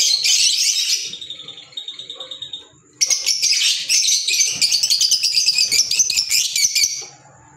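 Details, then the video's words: Green Fischer's lovebirds kept as pets give a shrill chattering burst, then quieter repeated chirps, then a long, fast, sustained twittering chatter. "Fisher Love Birds Sound"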